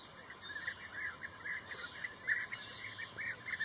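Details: Blue-tailed bee-eater uttering a steady series of rolling, slightly trilled chirps, roughly two or three per second, against a faint noisy background.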